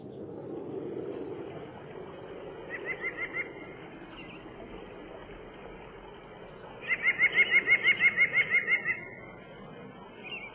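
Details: Common snipe calling: a short series of clipped notes, then a longer, rapid, very regular run of about a dozen sharp repeated notes, over a soft low background murmur.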